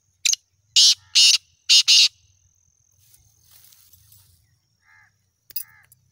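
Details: Seven-month-old black francolin gives loud, harsh, hissing bursts, four grating notes in quick rhythm, followed by quiet rustling and a few short faint notes.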